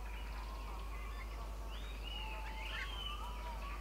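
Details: A Jungle myna in the middle Himalaya, the first record at this altitude for this plains species, gives a run of varied whistled notes, some sliding up and down, mid to high pitched, over a steady low rumble.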